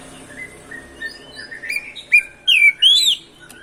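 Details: Oriental magpie-robin (kacer) song meant to provoke other birds: soft low whistles building into loud, clear arched whistled notes near the end, with light background hiss.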